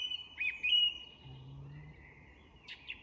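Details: Song thrush singing at dusk in an English woodland: clear, high whistled phrases with a long held tone and a couple of brief sharper flourishes, over a quiet low background hum.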